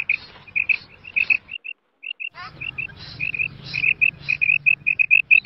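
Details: Female quail call recorded in Mianwali: bright high chirps in rapid runs, a brief pause near two seconds, then a denser steady series of clipped notes over low background rumble.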